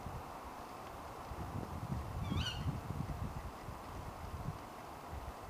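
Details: Female tawny owl calling late at night: one short, sharp, shrill call with a slightly rising, harmonic-rich tone, heard once around the middle, over a steady low rumbling background.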